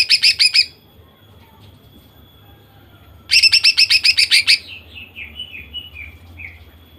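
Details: Female greater green leafbird singing, used to provoke males into singing; two bursts of rapid, evenly repeated high chirps, the second trailing into softer descending notes, with a faint steady hum underneath.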